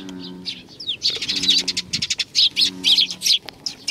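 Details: Chattering flock of sparrows arriving for food at a Tenmangu shrine, Nakanoshima, Japan, 21 June 2020: dense runs of sharp high chirps, with a low soft cooing of pigeons rising and falling underneath.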